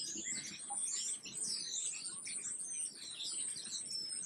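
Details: Black-capped chickadee: a busy stream of thin, high chirps and short twittering notes, overlapping almost without pause, with a brief dip in the chatter just after the first second.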